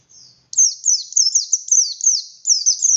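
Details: Oriental white-eye, buxtoni race, in vigorous song: an abrupt start into repeated high, sharp, falling chirps with a short gap near the end. Faint low hum beforehand.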